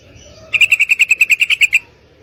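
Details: Female yellow-vented bulbul calling to attract a male for mating: a single rattling run of about twelve sharp, evenly spaced chattering notes lasting just over a second, after a brief faint lead-in.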